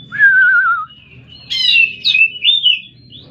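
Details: Oriental magpie-robin: a long, clear, slightly falling whistle, then a rapid jumble of buzzy and warbling notes ending in short high whistles; faint low hum behind.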